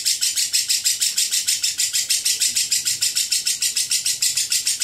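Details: Lovebird performing ngekek, a long drawn-out chatter; harsh, high, buzzy pulses repeated very evenly about three times per second without a break.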